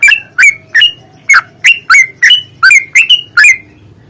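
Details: Yellow-vented bulbul fighting song for provoking singing: a close, loud string of about eleven quick, gurgling, down-bent whistled notes, evenly paced at roughly three per second.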